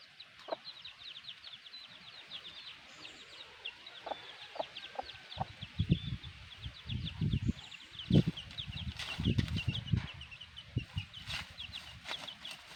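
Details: Black hen with her chicks: a steady stream of short, high, downward-slurred peeps from the chicks runs throughout, over low thuds and scattered handling knocks.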